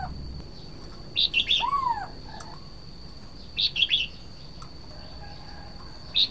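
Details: Red-whiskered bulbul song in short bursts of bright, chirpy notes, repeated several times. A lower, curving whistle follows the first burst, and a faint steady high tone sits in the background.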